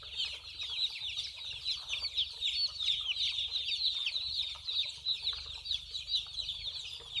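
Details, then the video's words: A group of baby chicks at play and drinking, their high-pitched peeping forming a continuous, busy chatter of short sliding notes, irregular and overlapping throughout. "Baby chicks Running, chicks chirping sound, small chicks voice"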